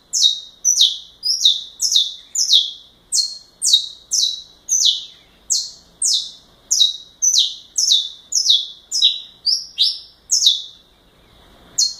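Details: Saffron finch in galador-style song, delivering a steady string of bright, high descending chirps about two each second for ten seconds, then a short pause before one more note; the recording is clean, with no other sounds.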